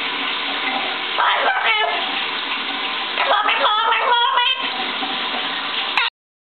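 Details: A baby severe macaw talks in short, nasal, speech-like phrases over the steady hiss of running shower water.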